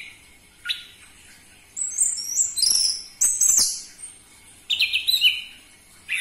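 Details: Orange-headed thrush, sung loudly to get captive birds going: a single high note, then a cluster of very high, thin, slurred whistles, followed after a pause by a short buzzy trilled phrase.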